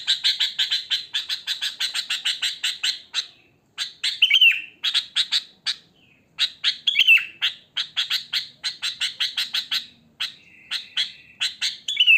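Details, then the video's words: Wild sooty-headed bulbul in natural song, without added tutor phrases. Rapid bursts of sharp, bright chirps arrive in quick runs. Brief pauses separate the runs, and a few longer downslurred whistles appear near the middle and end. "Suara Kutilang Asli Alam Tanpa Isian Gacor"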